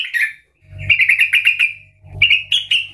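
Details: Loud sooty-headed bulbul (trucukan) song used as a lure to prompt singing: a brief note, then a quick series of about seven rhythmic rolling notes, pause, and three more bright slurred whistles.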